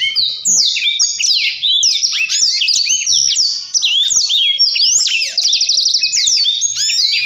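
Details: Dense, fast rolling song of a Blackthroat in gacor ngerol style. Overlapping high whistled slurs tumble continuously, and a quick repeated-note trill comes near the end.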